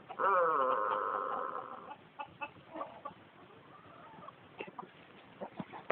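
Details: Long-crowing Tōtenkō rooster gives a sustained, steady crow held nearly two seconds, followed by scattered clucks, soft fowl chatter and faint background knocks; kept alongside Koeyoshi long-crowing chickens.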